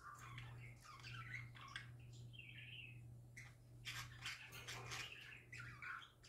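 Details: Happy pet parakeets singing: scratchy warbled chatter with short squeaky notes and clicks in bursts, over a steady low electrical hum.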